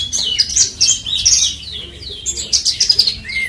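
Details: Horsfield's bush lark of the parva form, West Nusa Tenggara, Indonesia, delivering its natural song: rapid high twitters and downslurred whistles in two dense bursts, ending on a clear rising note.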